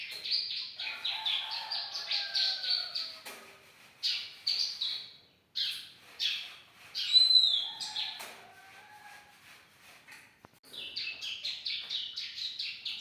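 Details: Young bar-winged prinia in lively song, a training recording for other songbirds: fast bursts of high chirping notes, broken by short pauses, with a few lower drawn whistles in between.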